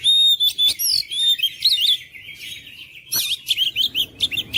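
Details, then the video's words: Oriental magpie-robin in energetic, persistent song: rapid high-pitched whistles, trills and twittering phrases that change constantly, with short loud bursts and brief pauses, and almost no background noise. "KICAUAN KACER MENGOYAK KACER BISU MALAS BUNYI JADI NGOTOT GACOR"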